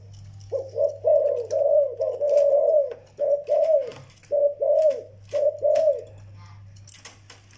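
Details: Young zebra dove calling indoors: a steady run of soft, rolling coos, several merging into longer trills, then short separate notes that drop in pitch at the end, with low background hum and scattered clicks.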